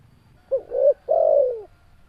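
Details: Spotted dove, described as a very active, persistent caller, giving one low cooing phrase: a short hooked coo, a slightly longer rising-falling coo, then a drawn-out coo that slides downward, all mid-low pitched against a quiet background.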